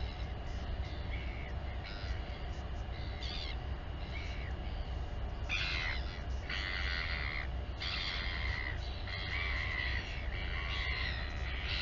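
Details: Royal albatross at the Taiaroa Head colony near Dunedin, New Zealand, recorded by a live nest camera while a mother feeds her chick; bursts of harsh, braying calls with stacked harmonics, loudest around six to eight seconds, over constant low wind rumble.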